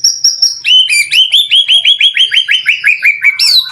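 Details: White-rumped shama song used to provoke other shamas into responding: a run of about fifteen quick rising-and-falling whistled notes repeated several times a second, after a high sustained whistle, ending in a sharp upward flourish.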